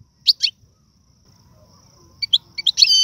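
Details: Algerian European goldfinch song featuring the styles known locally as tiwawati, galoubi, serfati and mandolin: two bright high twittering notes, a pause, then a quick run of sharp chirps ending in a sustained buzzy trill.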